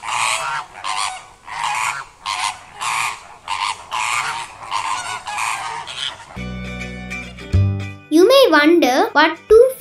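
Greater Flamingos give harsh, goose-like honks, repeated about every two-thirds of a second for six seconds, before music takes over.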